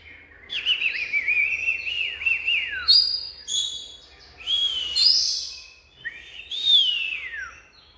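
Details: Oriental magpie-robin song made of clear whistled phrases that slur downward in long glides, alternating with brighter rising notes and short buzzy accents, delivered in steady, connected passages.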